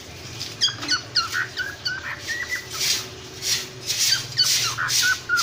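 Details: Cockatiel parrots calling: short chirps and whistled notes, some sliding, repeated rapidly with louder bursts of harsh, noisy chatter mixed in toward the end.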